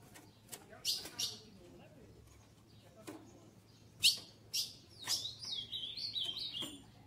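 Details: Female ultramarine grosbeak in captivity, eager to mate and asking for courtship. Scattered hard chips build into a run of quick, wavering, slurred whistles that step up and down before fading.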